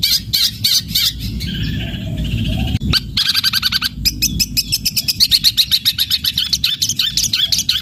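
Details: Long-tailed shrike singing hard in fighting style, with drawn-out phrases and sparrow-like imitation material: scratchy, squeaky notes at first, then a quick run of sharp, evenly pulsed chirps over low background rumble.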